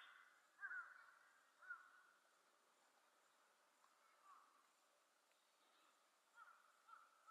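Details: A Japanese paradise flycatcher gives a few faint, husky whistled notes, spaced irregularly about a second or more apart, over a quiet outdoor background on a sunny 25°C day.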